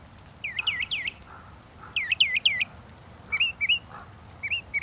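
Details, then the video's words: Northern mockingbird song with two phrase types: three looping, swooping notes given twice, then a switch to paired upward-kinked whistles, with softer low notes in between. "The song of the Northern Mockingbird"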